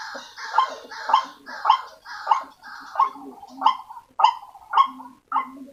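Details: Lure call of the white-breasted waterhen for attracting waterhens: loud rasping croaks repeated about every half second, the first ones drawn out and buzzy, the later ones shorter and sharper, with low grunting notes between.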